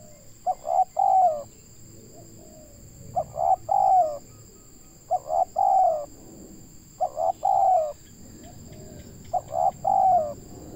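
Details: Local spotted dove in Indonesia used to lure birds, giving five rhythmic cooing phrases, each a quick note then two husky coos, over low rumbling background noise and a steady thin high whine.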